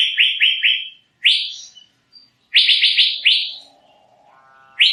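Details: Asian fairy-bluebird giving quick bursts of rising, liquid whistled notes in clusters of three to five, separated by short silences, with a faint low tonal buzz near the end.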